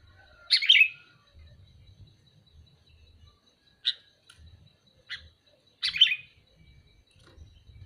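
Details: A sooty-headed bulbul calls with two loud, rasping chirps about five seconds apart, separated by brief, quieter clipped notes.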